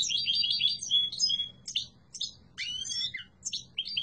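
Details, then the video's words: European goldfinch of the yellow mutation delivers a strong song of quick liquid twitters and short downslurred chirps in uneven bursts, with small gaps between phrases. "تغريد قوي و جميل🐦 لطفرة الحسون الاصفر روعة"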